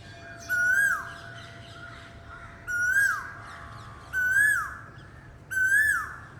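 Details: Four clear, rising, whistled Asian koel calls, each climbing and then sliding down, repeated at intervals of about one and a half seconds against quiet background noise.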